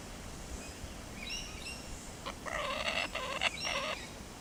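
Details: A Laughing Kookaburra at Darvall Park, having just caught a frog, gives a burst of harsh, rapid cackling notes lasting about two seconds; thin, high chirps from another bird come just before it, over steady outdoor hiss.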